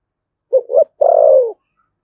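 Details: Thổ sấm-voiced spotted dove, Đồng Nai, Vietnam, giving one Thúc Gù phrase: two quick low notes followed by a sustained, gently falling coo about half a second long.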